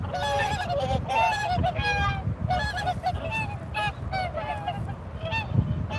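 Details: Several swans giving a continuous chorus of bugling, nasal honks, short notes repeated rapidly and overlapping throughout, with low background rumble.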